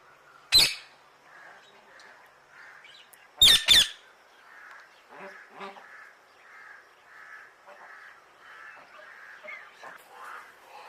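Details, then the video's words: One sharp, harsh parrot screech, then a quick pair of grating squawks, followed by a long stretch of softer, evenly repeated low chattering notes. "parrot sound"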